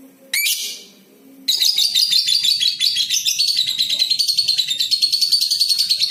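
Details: A single lovebird with a clear, long chattering song used to lure other lovebirds into singing; after a short sharp call, a continuous fast series of scratchy, buzzy high notes pours out for over four seconds.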